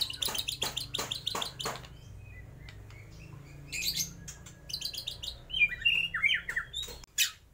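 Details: White-rumped shama in full song, imitating lovebird, kapas tembak and pijantung gunung: bursts of harsh, broadband chattering notes, a quieter pause, then sharp chips and short downslurred whistles, with a low background hum.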